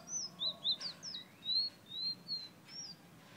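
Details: Fire-red bird of Guyana whistling close up, a rapid string of clear, high, slurred notes, several arched or rising, about three per second, loud over low background noise.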